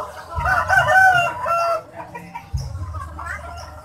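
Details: Large, sturdy rooster at Gawok market in Sukoharjo with an unusual crow said to sound like calling the name Jokowi: a loud harmonic crow of about one and a half seconds, wavering and then falling off, followed by low market rumble.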